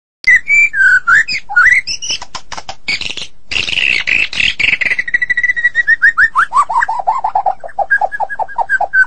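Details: White-rumped shama of the Medan variety in vigorous 'gacor' song: loud clear whistles that slide up and down, a harsh rasping burst, then a fast run of repeated downslurred whistled notes.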